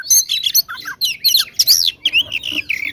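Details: Oriental magpie-robin in agitated fighting song ('gacor tarung konslet') meant to provoke rivals: loud, jumbled chattering phrases with squeaky whistles and harsh notes, delivered in fast, choppy bursts.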